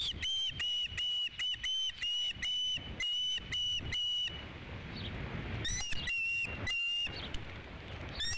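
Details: Osprey at a ranch nest on 3 July 2016, during the fifth fish delivery of the day: bursts of sharp, whistled chirps with a slight upward flick, about two per second, then a quieter pause before another short series.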